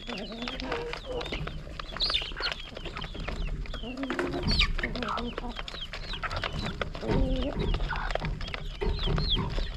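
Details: Hungry farm chickens gather excitedly for morning feed, pecking and clucking. The flock makes a busy overlap of short clucks, rising squawks and high falling chirps, with a faint human voice underneath.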